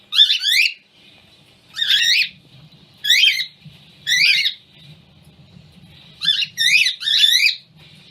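A cockatiel gives loud, harsh, wavering screeches in bursts about a second apart.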